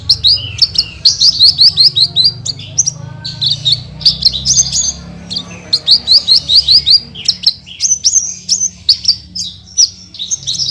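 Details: Horsfield's bush lark (branjangan) singing energetically, full of rapid 'tembakan' bursts: dense high chirps and fast repeated trills, often in runs of six to eight sharp notes, with brief pauses between phrases and a low hum behind.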